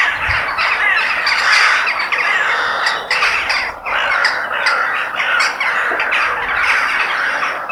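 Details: Crows calling in nature, a crowded chorus of harsh, nasal squawks with a few sharper, louder caws standing out through the stretch.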